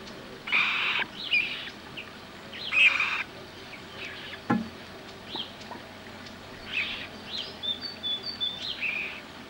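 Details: Common moorhen recorded on 27 April 2012 in a wetland in central France while mating: loud, harsh croaking bursts, two strong ones early, then softer scattered notes and a sharp click.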